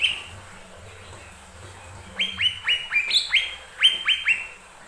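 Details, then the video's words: Lesser green leafbird song played to prompt other birds to sing: after a quiet start, a rapid series of about nine clear whistled notes, each sliding down, repeated in quick succession. "Pancingan burung cucak ijo mini"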